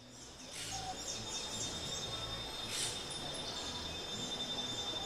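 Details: Brown-throated parakeet (Eupsittula pertinax) in Caldas, Colombia, giving a few harsh, raspy screeches about two seconds apart, with a thin steady high whine and low background rumble.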